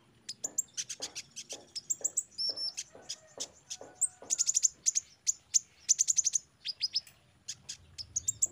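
A sunbird pours out a fast, high, thin song of sharp chirps and buzzy trills in rapid bursts, with brief whistled notes between; no other sounds.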